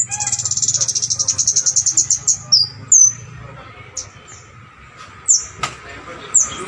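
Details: Bar-winged prinia in keres style, used to stir and tutor songbirds: opens with a rapid, even, high trill of about twenty pulses, then scattered sharp downslurred whistles separated by pauses, with a faint background hum.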